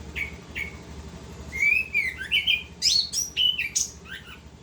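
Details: Orange-headed thrush, locally anis kembang, in full continuous ngerol song: two short opening whistles, then a rich run of slurred, warbling whistled phrases rising and falling in quick succession, with a soft low hum beneath.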